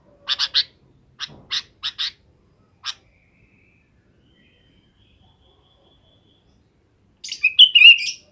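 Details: Afternoon calls of a sooty-headed bulbul gathering companions to roost: quick clusters of short, harsh notes in the first three seconds, a long silence, then a bubbly, warbling burst of notes at the end.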